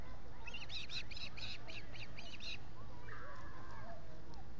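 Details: Osprey at a Finger Lakes nest, US, with three birds at the nest on 19 July 2021, recorded by a solar-powered camera. About eight sharp, high chirps come rapidly, then a softer songbird phrase over a steady low hum.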